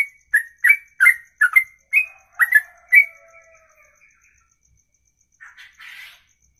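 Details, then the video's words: Bird singing a ropelan, the long one-breath song style: quick whistled chirps repeated for three seconds, then the phrase trails off into a fading drawn note, followed by silence and a brief rustling noise. "Inilah Ropelan Sekali Nafas 2 menit lebih"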